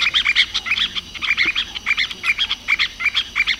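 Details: Masked water tyrant singing at length: a steady run of short, buzzy, sharp chip notes, about four or five a second, with little pause between them, over a faint background hum.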